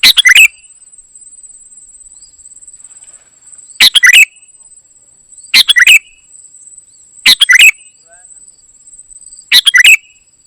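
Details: Ruby-throated bulbul in gacor isian song, giving five brief clusters of fast chirps, roughly one every two seconds, with quiet stretches between them.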